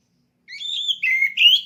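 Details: Oriental magpie-robin (kacer), kept caged and conditioned for competition, delivers three pure whistled notes: a level tone, a lower steady note, then a sharply rising whistle, all clean with no background sound.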